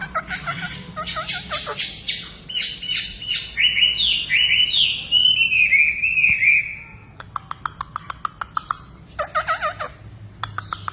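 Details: Hwamei singing energetically: quick chirps and short squeaky notes open into a long, loud, fluttering whistled warble, which breaks off into bursts of rapid dry clicks and a final scratchy flourish.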